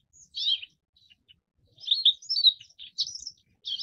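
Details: High chirping notes from a forest wagtail: one short squeaky burst, a pause with faint ticks, then a cluster of sharp, slightly slurred chirps and a last clipped note.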